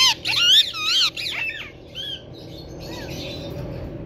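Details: Green rose-ringed parakeet talking, said to be saying "Mithu Beta": loud wavering, harmonic squawked syllables in the first second and a half, then softer warbled notes fading over a low indoor hum.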